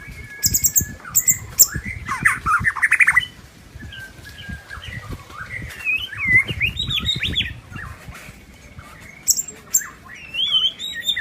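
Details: Wild white-rumped shama singing in forest: varied whistled phrases and twittering flourishes, some rising and sliding, between bursts of dense chattering, over steady low rumbling background noise.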